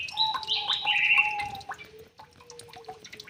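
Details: White-rumped shama recently released into an aviary and settling into its new home, giving loud, varied whistled and warbled phrases for about two seconds, backed by steady, low, humming tones and scattered clicks and drips.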